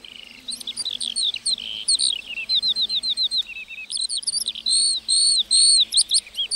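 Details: Lark in a meadow giving a lively high song of repeated slurred chirps and arched whistled notes, delivered in quick succession with short breaks.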